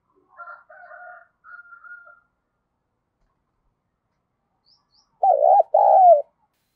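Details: ["Spotted dove of the thổ voice style calling: soft chirps and a thin whistle from another bird first, then the dove's loud, hoarse two-note coo, the second note drawn out and falling."]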